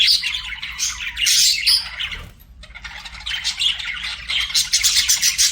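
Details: Pet budgies chirping and singing: loud squawky warbling that stops for a short pause midway, then resumes as fast rattling, chattering notes.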